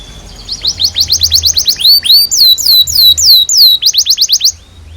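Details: Young canaries' tutor recording of canary song: quick rising trilled notes, a run of loud drooping whistled sweeps, then another fast burst of repeated upslurs.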